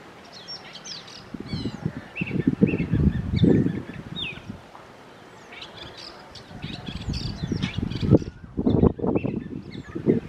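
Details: Oriental magpie-robin song of scattered whistles and quick upslurred chirps, pausing midway, while bursts of low rumbling noise come and go beneath.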